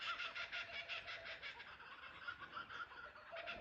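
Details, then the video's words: Several kookaburras calling together in a chorus at Ballandean, heard from a cottage verandah. Fast, rhythmic chattering bursts at roughly three per second swell and fade in overlapping waves. "Kookaburra sounds"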